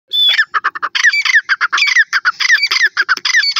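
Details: Grey francolin calling: a fast, loud run of harsh, ringing notes with rising squeaky slurs woven in, repeated without pause for the whole stretch.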